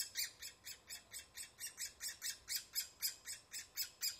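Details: Woodpecker at the nest producing a fast, steady stream of harsh, raspy, high notes, about four per second, continuing without a break.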